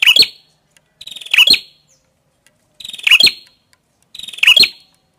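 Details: Prenjak kepala merah, a prinia: loud high phrases, each a short stuttering buzz leading into sharp bright chips, given four times at irregular gaps of about one to two seconds, with silence between.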